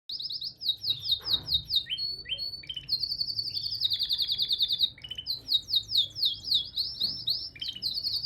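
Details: A green male canary sings a long, rapid song of rolling trills and chirps, pitched high, moving between fast buzzy phrases and sweet notes with no pause.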